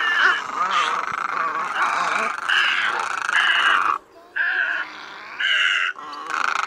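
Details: Night net-trapping lure of great and other egrets, August migration season: a continuous run of harsh, rasping calls, then shorter squawks in spaced bursts after a brief pause, over a low hum.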